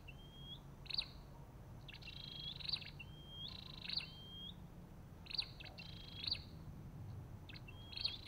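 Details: Olive-backed tailorbird repeating a rising whistle and a crisp buzzy note in steady alternation, with low-frequency background noise throughout.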